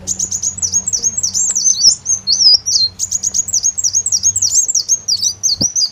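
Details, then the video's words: Continuous high-pitched song of an olive-backed sunbird used to lure birds: rapid repeated V-shaped and looping whistled notes running almost without a break. "Ampuh Suara Pancingan Burung Kolibri Daun"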